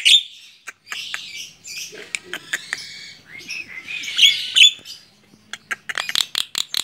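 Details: Tame Javan myna singing while perched on a hand: a jumble of harsh clicks, buzzy chatter and bright high squeaky notes, with short pauses and a burst of rapid ticks near the end.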